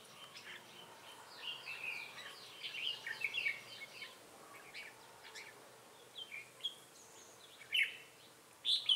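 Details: Red-whiskered bulbul of the Ché type, a decoy drawing wild birds at a trap in Bình Phước, Vietnam, on 25 June 2018: a rapid run of repeated chirpy whistled notes, then scattered warbled phrases with sharp loud notes near the end.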